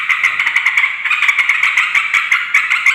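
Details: Rapid, rattling chatter of yellow-vented bulbul, played to call in wild males and females; buzzy notes and clicks pulse steadily throughout.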